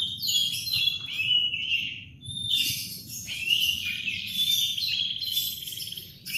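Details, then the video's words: Morning song of a canary, high and continuous, with rolling trills and drawn-out whistled notes that flow from one phrase into the next, steady and loud throughout, low hum faintly beneath. "Kicauan kenari di pagi hari"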